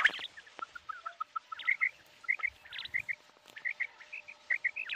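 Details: Common quail calling: short clipped whistled notes in runs, mostly paired or tripled, with a few louder chirps and scattered sharp clicks throughout.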